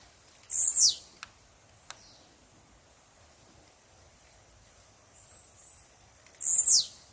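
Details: A blue-black grassquit in the wild repeats its short, shrill, buzzy downward-slurred note twice, roughly six seconds apart. A few faint clicks and a soft high hum sit in between.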